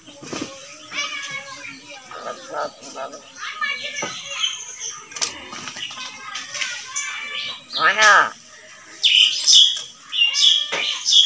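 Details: A talking common hill myna imitates human speech, including Bengali phrases like "open the door", in hoarse, word-like phrases mixed with sharp high whistles and squawks.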